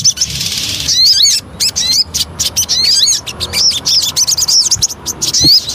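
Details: Javan cochoa lure song, a run of sharp high upslurred whistles and chirps in quick bursts, broken by short pauses.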